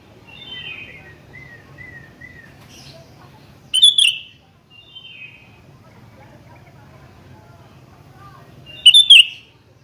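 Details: Sooty-headed bulbul challenging a rival with two brief bursts of loud, bright whistled notes several seconds apart, softer descending chirps from other birds in between, and a low hum beneath.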